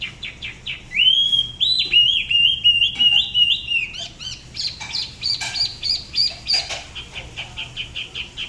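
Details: Solo song of a Da Lat spot-throated babbler from the La Ba river area. A rapid series of high chips leads into a sustained wavering whistle, then fast repeated bright notes. The local singing style is said to be unusual.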